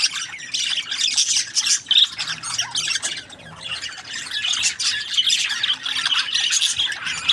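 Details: Overlapping chirps and squeaky warbles from many budgies form a dense high chatter, with a short clear whistle near the second mark and a slightly softer passage mid-clip.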